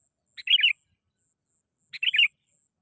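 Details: Sooty-headed bulbul calling in a recording used as a lure for catching birds: two short bubbly, chattering phrases about one and a half seconds apart, each a quick note followed by a warbled burst, with a faint high steady hum.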